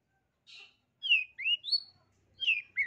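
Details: Long-tailed shrike song played as a training recording for reluctant-singing captive shrikes: a short scratchy note, then four bright, high whistled phrases sliding up and down about half a second apart, over a faint low hum.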